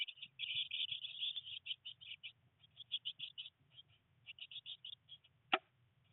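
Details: Eurasian blue tit nestlings, three, 19 days old in a nest box amid much rain and first flight attempts; a fast chirping burst opening, then spaced high chirps and one sharp click near the end.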